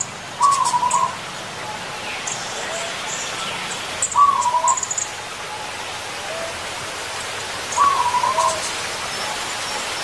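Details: Zebra dove in the wild repeating its short cooing song three times, roughly every three and a half seconds: a rapid burst of soft, trilled coos ending in a clipped note. Faint high insect ticks and a quiet steady background hiss accompany it.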